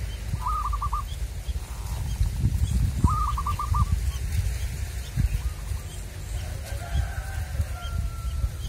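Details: Wild local zebra dove being lured: two trilled cooing phrases of rapid, evenly spaced notes about two and a half seconds apart, then faint distant calls, with heavy low rumbling wind noise throughout.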